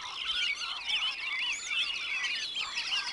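Wood ducks call together in a dense chorus of thin, squeaky, rising whistles and squeals that overlap continuously, with no other clear sounds.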